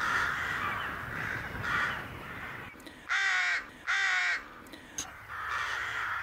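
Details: A rook (Corvus frugilegus) gives harsh, raspy caws in a loose series, with two louder calls standing out in the middle, over a soft background hiss.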